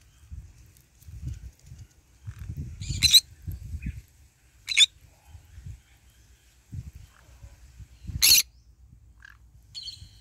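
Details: A green-cheeked conure feeds in the morning sun, with much low crunching and rustling throughout. Three scratchy squawks break in, plus a few faint thin notes.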